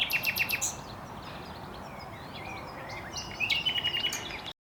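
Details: Common nightingale (Luscinia megarhynchos) song: an opening burst of fast repeated sharp notes, a pause with faint chirps, then a loud rapid trill and whistle before the sound cuts off.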